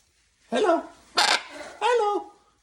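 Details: Jubilee hybrid macaw at a sanctuary, urged to say hello to people: three loud harsh calls of about half a second each, the middle one a noisy broadband screech, with a person talking nearby.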